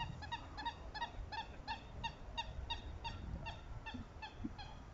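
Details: Southern screamer calls linked to pair-bonding: loud, nasal, harmonic honks in a rapid series of about three per second, continuing steadily over a low rumbling background.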